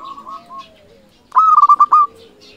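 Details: Local zebra dove singing loudly, intended to excite rival doves and raise breeding urge: soft cooing, then a sharp burst of five or six rapid, punchy staccato coos lasting under a second.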